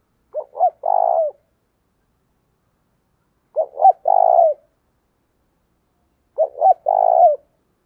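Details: Spotted dove kept as a decoy to attract wild birds, giving three identical phrases about three seconds apart, each two quick rising coos followed by a longer throaty, trembling coo.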